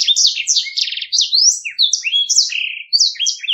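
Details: A Black-throated canary sings a fast, continuous rolling run of high, sweet chirps, trills and rising whistles without pause; nothing else is heard.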